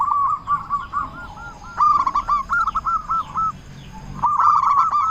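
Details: Loud local zebra dove song used to rouse other doves: rapid chains of curled cooing notes at an even pitch, a brief pause near the end, then the quick series resumes.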